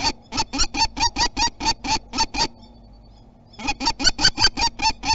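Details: A common kestrel defending its territory at Théding, France, on 27 April 2021 gives shrill, rapid kee-kee-kee notes, about five per second, in two bursts of a dozen notes separated by a one-second pause.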